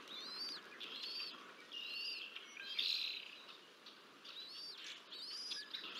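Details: Bald eagle feeding two chicks on the Decorah North nest, nest-cam recording from 30 March 2024; a run of high, arched chirps repeated about every second, with a louder squealing burst near the middle.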